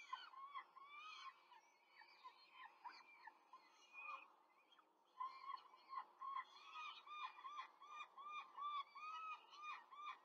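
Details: Peregrine falcons at a nest in Rome, 5 May 2023, during a quick feeding as an adult feeds four chicks; shrill, downslurred calls repeat rapidly and overlap in a busy, continuous chorus.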